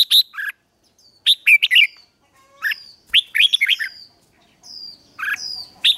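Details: A captive red-whiskered bulbul, used for song training, sings bright, bubbly phrases of quick rising and falling whistles, delivered in bursts about every one to two seconds.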